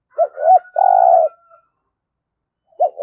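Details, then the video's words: Decoy spotted dove, kept for trapping wild doves, giving one low cooing phrase of two brief notes and a long vibrating coo, then the start of a second phrase; a faint higher whistle runs behind the first phrase. "Chim Cu Mồi Gáy Giọng Cũng Hay Dùng Kích Bổi Cũng Hiệu Quả"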